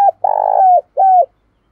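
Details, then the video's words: Loud decoy spotted dove coo: a brief falling note, a long buzzy pulsing coo gliding down, then a clear falling coo. The background is clean. "Chim Cu Mồi Thúc Và gáy Gọi căng Đét"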